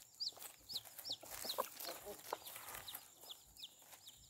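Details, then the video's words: Chicks with their mother hen, which is protecting them. Thin, high peeps slide downward, repeated irregularly about once a second, with a couple of lower soft notes in between. Rustling and broadband background noise throughout. "Chicks chirping sounds"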